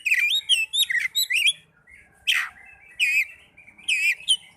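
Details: Oriental magpie-robin singing, used to coax sluggish caged birds into song: a burst of quick whistled twitters, then a harsh downward rasp and several wavering, trilled whistles spaced about a second apart.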